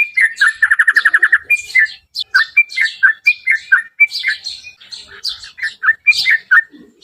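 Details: Yellow-vented bulbul singing as a lure to provoke a reply: rapid bubbly chattering notes, a fast trill-like run early on, then varied liquid phrases repeating about four per second, loud and clear.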